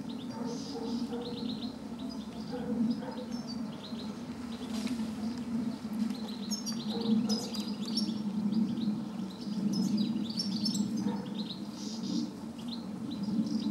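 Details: European goldfinch singing at Planina Gornja, Croatia, on 4 July 2014: scattered tinkling, twittering phrases high in pitch through the recording, over a steady low hum and outdoor background noise.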